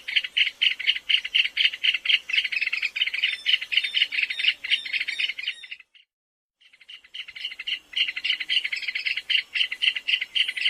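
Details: A shy, plump rail of drier thickets, scrub, wet pastures and savanna, with a gray face, red eye and red legs, gives its trilled song: fast, clicking, tinkling, stuttering at about four pulses a second, breaking off briefly midway.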